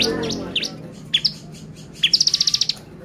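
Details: Bar-winged prinia, a lure recording used to excite other prinias: scattered sharp, high downslurred chirps, then a quick run of about ten bright ticking notes near the end, over a low steady hum.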